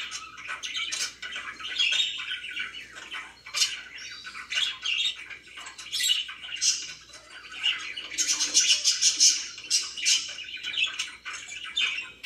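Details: Relaxed pet budgerigars chatter indoors for a long stretch, scratchy warbling and quick chirps rising and falling in loudness, busiest near the end.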